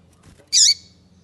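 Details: One loud, harsh, buzzy chirp from a female double-collared seedeater, a call meant to stimulate the male to sing, falling slightly at its end against a quiet low hum.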